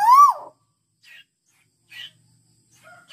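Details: Owl call used as a lure to attract other owls: a single loud, rising-then-falling hooted note lasting about half a second, followed by a few faint, short chirps.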